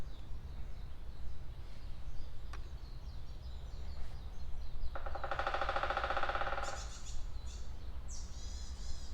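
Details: A woodpecker, by chance filmed in a beech forest, drums one rapid roll under two seconds (it taps roughly once a minute), then high thin birdsong follows; a steady low rumble of wind or water runs throughout.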